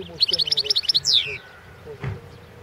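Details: European goldfinch of subspecies Carduelis carduelis balcanica, singing for the 2016 world goldfinch song competition. A rapid rolling series of tinkling double notes runs into a swooping downward slur, then a soft click and a low murmur.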